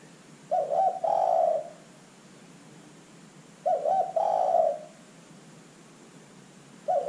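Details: Zebra dove lure call for drawing out other birds: two full bubbling coo phrases about three seconds apart, each a stammered opening and a longer rolling note, with a third just starting.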